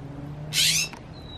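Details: Northern mockingbird perched on a tree branch, recorded 25 October 2020; a single short, harsh, raspy note spanning a broad band, followed by a faint thin whistle near the end, over a steady low hum.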